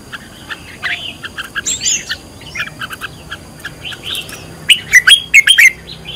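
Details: Red-whiskered bulbul in decoy training, heated singing: rapid chirping with upward-sweeping whistles, building to a loud series of sharp, clipped notes toward the end.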